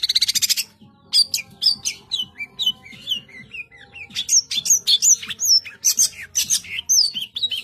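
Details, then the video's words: [1, "Long-tailed shrike singing gacor in a dense 'tembakan rapat' style: a fast buzzy rattle, then a varied stream of sharp high chirps, slurred whistles and squeaky notes, packed closely together with only short gaps."] "Cendet GACOR full tembakan rapat"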